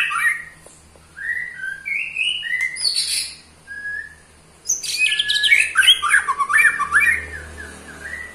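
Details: Eight-month-old white-rumped shama performing ketrekan to provoke fellow shamas: scattered whistled phrases and buzzy high bursts separated by pauses, then a sustained rapid chattering trill sweeping down in pitch.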